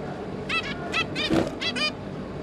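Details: Zebra finch (Taeniopygia guttata) family, a pair and their three juveniles, recorded 5 August 2022, giving short, nasal, toy-trumpet beeps, about five in just over a second, over a soft steady hiss.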